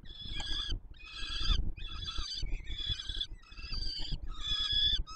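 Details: Peregrine falcon young at the Warsaw Palace of Culture and Science nest, Poland, 7 July 2022, fed by the male: six evenly spaced harsh, ringing screeches under a second long each, over low background rumble.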